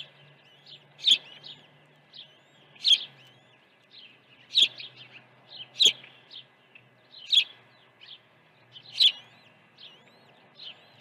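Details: Osprey calling at its nest during an early feeding on Dunrovin Ranch, 1 June 2019. Six loud, sharp high chirps fall at fairly even intervals of about one and a half seconds, separated by quieter peeps.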